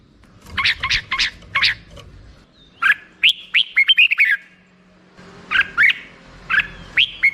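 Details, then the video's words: Red-whiskered bulbul song made of crisp repeated chirps, then a fast run of warbling whistled notes, a pause, and more spaced, fluty chirps. "suara burung merbah jambul"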